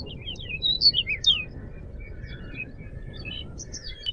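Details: Lively Crescent-chested babbler song kept as a lure and master recording for training songbirds: rapid high whistled and slurred notes in an opening burst, softer scattered chirps after, and a loud note at the end, with a low constant hum.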